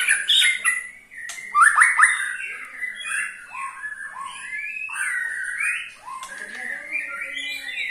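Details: White-rumped shama ketrekan, used to make other shamas sing along: varied loud whistled phrases mixed with brief dry rattling strokes, some notes sliding up and down, with pauses between bursts.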